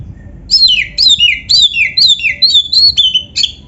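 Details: Oriental magpie-robin singing a rhythmic run of about seven descending whistled phrases, each repeated roughly every half second, clear and loud over a faint low hum; used as training song for young or quiet birds.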